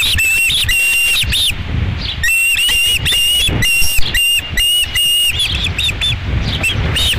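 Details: At the Dunrovin Ranch osprey nest, 11 July 2016, second fish of the day: loud, drawn-out high whistles and clipped chirps in bursts, broken by a short pause, over low background rumble.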